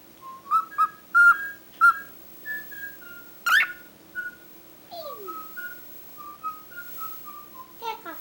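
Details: Talkative cockatiel mixing sharp clipped notes with a loud burst, a falling slide and a string of soft level whistles that drift slightly downward in pitch.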